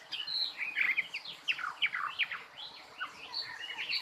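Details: Bird song heard through steady background hiss: quick downward-sweeping whistled notes and chirps, somewhat distant and partly masked by noise.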